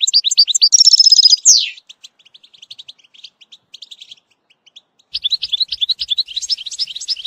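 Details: European goldfinch song for young-bird training, with batbata: a buzzy trill closing in a downslurred note, quiet scattered tweets, then renewed rapid bright twittering.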